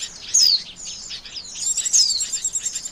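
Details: Lure call of Oriental white-eye for bird trapping, a bright descending whistle followed by fast high twittering and a second falling whistle.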